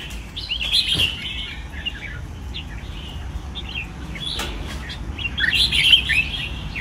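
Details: Red-whiskered bulbul in a training cage gives a few scattered warbled whistles, with a louder chirpy burst near the end, among wing-flutter and rustling noises and steady low hum.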